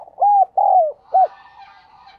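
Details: Low hollow coos from a spotted dove used as a decoy to call in other doves, ending with a short clipped note followed by soft, faint background chatter.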